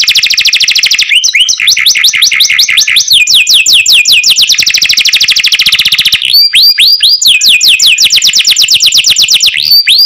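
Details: Canary delivering cenkok song for about ten seconds: long buzzy trills alternating with runs of rapid descending whistles and a few upward-looping notes, loud and continuous.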